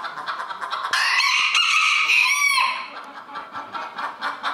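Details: Crowing rooster at a 2022 village crowing contest in Villers-la-Ville. A loud, harmonic cock-a-doodle-doo lasts about one and a half seconds, then drops away into rhythmic clucking and indoor chatter.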